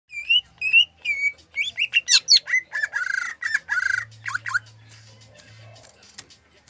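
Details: Greater green leafbird of the Gayo type, singing a song filled with zebra dove imitation: paired rising whistled notes, then a rapid run of varied chirps, slurs and buzzy harsh phrases, with a faint low hum near the end.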